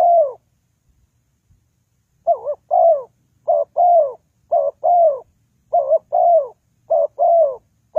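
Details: Spotted dove call for luring birds into traps: two seconds of silence, then about seven rapid double coos, each a short dipping note and a longer downslurred note, no other sounds.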